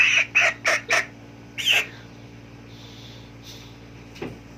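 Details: Chicken uttering four quick, harsh clucks in a row, then one more after a short gap, followed by near quiet and a faint knock, with a low hum underneath.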